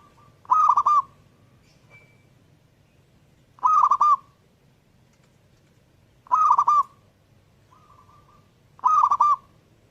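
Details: Zebra dove, known as perkutut, repeats a short trilled coo phrase about every two and a half seconds, four phrases against a quiet background with a faint thin whistle in one gap.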